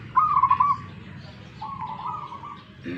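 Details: Local zebra dove from Tuban, East Java, cooing: a brisk stuttered burst of four or five pulses, then a longer, smoother level coo, set against constant low background noise.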